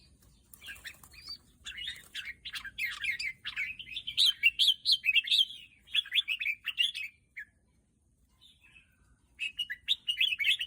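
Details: Red-whiskered bulbul delivering a lively run of rich, rolling warbled phrases for about seven seconds, a brief pause, then singing resumes; quiet background.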